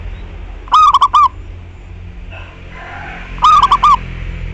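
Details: Zebra dove from Indonesia's local stock in energetic song used as a lure for other doves: two rapid stuttering cooing phrases about 2.7 seconds apart, with faint other bird sounds between them and low background noise.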